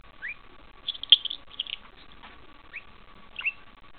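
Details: Parakeet kept as a pet, imitating a bell while fighting a thumb, gives short rising whistles and ringing, sharp squeaks spaced over a few seconds, with soft scratching sounds.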